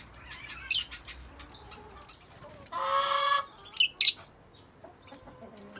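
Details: Yellow-collared lovebirds (Agapornis personatus) in an outdoor aviary give shrill, high chirps in quick scattered bursts, with one harsher, rasping squawk lasting under a second midway.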